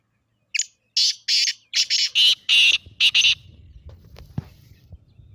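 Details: Black francolin (kala teetar) calling, meant to stir a pet partridge into calling: a run of about eight loud, harsh, scratchy notes in rapid rhythm, then fading into faint low background noise.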